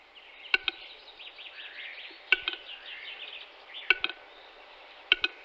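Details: Western capercaillie recorded in March 2022: sharp, hollow double clicks like knocking sticks repeat about every one and a half seconds, while thin, high songbird warbling runs continuously behind them.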